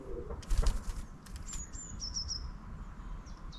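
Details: Long-tailed tit in town: fluttering wingbeats first, then thin, very high drawn-out calls and brief high notes above a low background rumble.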